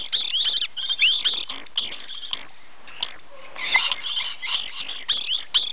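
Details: Dusky lory of the orange phase giving harsh, grating screeches in quick bursts, several a second, with brief pauses between runs of calls.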